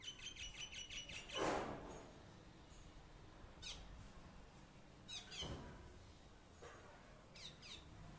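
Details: A common myna in a terrace garden opens with a fast run of repeated harsh, harmonic notes. A loud rasping burst and scattered short chirps and squawks follow.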